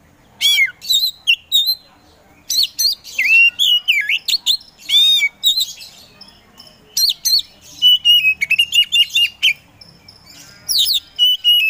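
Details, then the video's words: Oriental magpie-robin of the Kacer Poci kind, a caged contest songbird used to stir sluggish birds into song, pouring out loud varied whistles, slurred notes, quick trills and chatters in several long bursts. "KACER POCI GACOR SANG PROVOKATOR || LELET SUSAH BUNYI SEKIAN DETIK LANGSUNG GACOR AWOR AWOR"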